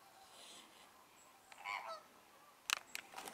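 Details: An American flamingo (Phoenicopterus ruber) gives a single nasal, goose-like honk over a soft background hiss, followed by a few sharp clicks or knocks, at Lagunska ribogojnica nature reserve on 4 January 2024.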